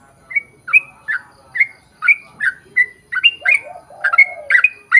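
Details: Sooty-headed bulbul singing a lure song meant to set other birds of its kind singing: steady series of short liquid, slurred chirps roughly twice a second, with a low cooing dove briefly in the background.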